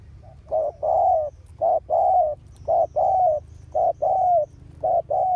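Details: Ground decoy spotted dove calling energetically to draw in wild doves, August 2021: rapid run of low paired coos, short then long, about five couplets in quick steady succession over a faint low drone.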